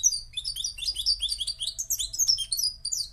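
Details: Moroccan goldfinch singing a fast, dense run of high twittering notes and liquid trills, slurred chirps tumbling without pause; faint low hum underneath.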